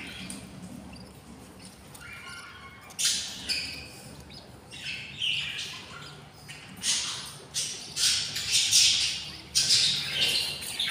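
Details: Hungry budgerigar chicks, six in one nest at twenty days old: quiet soft chatter at first, then insistent scratchy rasps from about three seconds on, repeated roughly once a second and rising in force.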